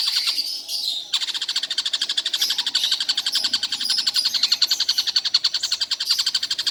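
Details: After a short noisy start, a Stork-billed Kingfisher, which calls all day without stopping, launches into a long series of harsh, rapid clicking notes repeated nearly four times a second.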